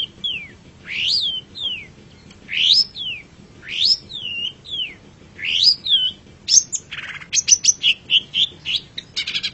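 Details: Long-tailed shrike, known locally as pentet or cendet, in a master recording for training songbirds: loud, varied whistled notes that slide up and down, then a faster run of sharp, high chirps and buzzy bursts toward the end.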